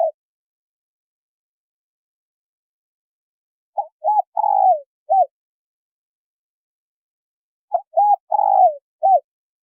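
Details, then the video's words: Male and female spotted doves cooing. Two phrases about four seconds apart each hold a few short coos, then a longer, louder coo that falls in pitch, and a final short coo. A fragment of a coo opens the clip. There is no other sound. "Tiếng chim cu gáy trống mái thổ kích bổi"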